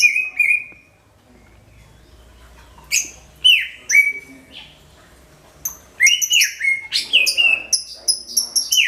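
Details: Loud greater green leafbird song as a lure for all bird species: drawn-out falling whistles, a quiet pause, then a dense rapid run of high chips and swooping notes.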